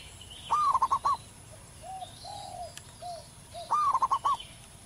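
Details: A wild local zebra dove's powerful song: two phrases, each a rising coo broken into four or five fast pulsing notes, with soft low coos in the pause and light background chirping.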